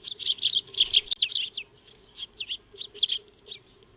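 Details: Eurasian tree sparrows (maya birds) feeding in a backyard, captured on a solar-powered trail camera; a rapid cluster of chirps opens, then sparser downslurred notes follow, with one sharp click and a low hum.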